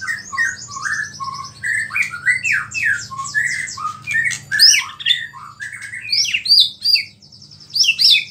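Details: Vigorous white-rumped shama song mixing in small-bird imitations to provoke other shamas: fast varied chirps and slurred whistles, then harsher high squeaky notes, over a low hum that fades midway.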